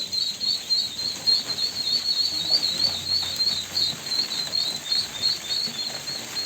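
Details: Ducklings giving a rapid series of thin, high peeps, roughly three per second, each a short slightly wavering whistle, continuing steadily throughout with soft low rustling beneath.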